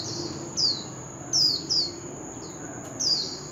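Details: Oriental magpie-robin used as a contest lure. Sparse, thin, high whistles sliding downward, four or five in a few seconds, faint against a steady high hiss and noisy background.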